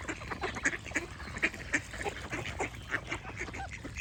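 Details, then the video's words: Duck quacks ring out as loud, harsh, clipped notes, about three per second in an uneven rhythm, over chirping birds and a faint low hum. "Duck Quack Sound Effect with Birds Chirping for Relaxation"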